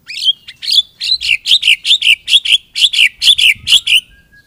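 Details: Loud White-rumped shama phrases: a steady series of rich slurred, slightly harsh notes about three per second, with a faint low rumble underneath.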